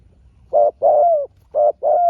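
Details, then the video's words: Two calls from a spotted dove contesting a small-voiced wild rival: each a clipped low coo followed by a longer, smoothly falling coo, loud and clear against a quiet background. "เสียงนกเขาใหญ่ เจอนนกป่าเสียงเล็กคูดีคูสู้กันอยู่นานกว่าจะติดแลกกกันคนละทีทีีลุ้นมันเลย"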